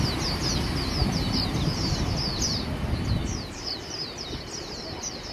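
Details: Competition singing by white-eyes: fast, high, sliding twittered notes tumble in dense runs, about four per second, fading slightly toward the end, with constant low-pitched traffic rumble underneath.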